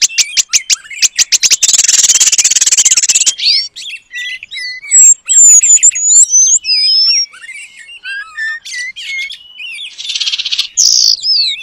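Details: Oriental magpie-robin mimicking Asian paradise flycatcher as training material: rapid clicking ticks building into a dense buzzing rattle, then varied high whistled slurs and chirps, ending in another buzzy burst.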